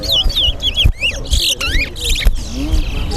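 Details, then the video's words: A Large-billed Seed-Finch (towa towa) sings in a bird-singing competition at Guyana National Stadium, pouring out a quick run of clear, slurred whistles, rising and falling, over a low murmur of crowd voices. "TOWA TOWA BIRD SINGING"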